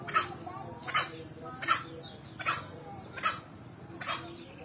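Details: Steady series of brief, rough calls from a male green junglefowl in full voice, spaced under a second apart, with faint low rumble behind.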